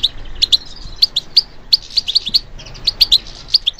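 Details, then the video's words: Stimulated European goldfinch singing: crisp, high chirps in loose groups of two or three, with short pauses between groups, and a quiet hissy background. "How to encourage the goldfinch to respond to stimulation"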